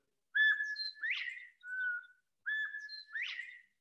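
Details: Male Northern Bobwhite in Missouri giving its clear whistled bob-WHITE in spring, a level note then a sharply rising one, sung twice about two seconds apart.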